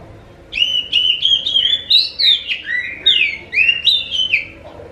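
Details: Oriental magpie-robin (kacer) song played as a lure to make other magpie-robins answer: a rapid run of clear whistled notes with sharp upper flicks, rising and falling loops, about a dozen elements in quick succession.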